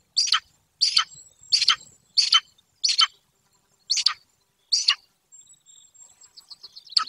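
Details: Repeated harsh chirps at a Golden eagle nest in a remote, wild corner of Bucovina, recorded by a webcam. About seven sharp calls come roughly every 0.7 seconds, then a pause filled with soft twittering from other small birds.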